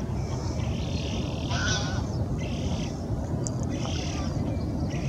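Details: Eurasian spoonbill with a begging young following behind the adult; short wheezy, hissing bursts come in separate rasping phrases over a strong, steady low rumble of wind or background noise.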